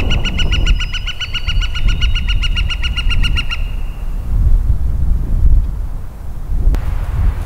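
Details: A Pileated Woodpecker, back in spring among white pines with yellow-bellied sapsuckers also calling nearby, gives a fast, ringing run of loud, even notes for about three seconds, fading out, over steady wind rumble and footsteps on a walk.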